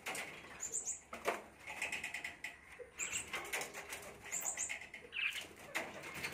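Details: Grown-up common myna in India giving scratchy, chattering calls with short high squeaky chirps at a few points, spread through several bursts; clicks and rustling sounds are also heard.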